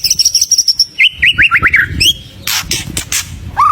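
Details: Masteran song of a white-rumped shama: a quick high trill, then a rattling series of sharp descending notes, a rising whistle, harsh noisy bursts, and one low rising whistle at the end.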